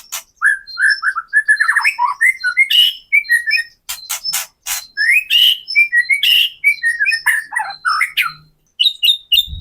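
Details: A white-rumped shama singing vigorously, a kretekan lure for provoking captive shamas to sing: rich varied whistles, quick rising and falling slurs, and frequent harsh crackling notes in a dense continuous stream.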